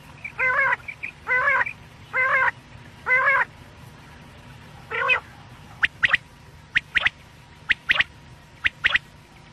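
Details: Quail (batair) sounds for night, Pakistan quail hunting: four buzzy, harsh nasal notes at a steady pace, one more after a pause, then a run of thin, sharp, clicking chips in pairs.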